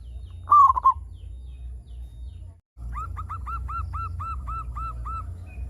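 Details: Local zebra dove singing as a lure for other doves: one short rolling coo phrase, a brief gap, then an evenly repeated string of soft arched notes over a rumbling low hum.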